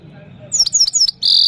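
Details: Himalayan goldfinch from Parachinar singing for a female: a quick string of four sharp, high descending chirps followed by a short, bright, buzzy trill over a faint low hum.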